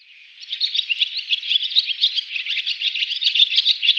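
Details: Male barn swallow singing a continuous, fast twittering warble of high chirps and short trills, steady and busy throughout after a brief quiet start.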